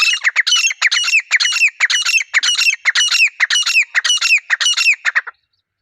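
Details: Wild grey francolin pair calling in a natural setting: a loud, fast run of harsh, rasping, repeated phrases, nearly two a second for about five seconds, each with a rising squeaky upturn, then stopping abruptly.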